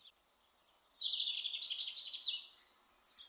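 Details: European robin (Erithacus rubecula), a UK garden bird, singing a thin, high warbling phrase: a few sweet drawn-out notes, then a quick tumbling twitter, ending on a sharp bright note.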